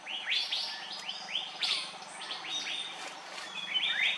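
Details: Andaman bulbul, Pycnonotus fuscoflavescens, recorded on Andaman Island, India, in March 2020, giving a rapid series of short, hooked whistled chirps in quick succession, lively and uneven, with a thin high insect drone behind.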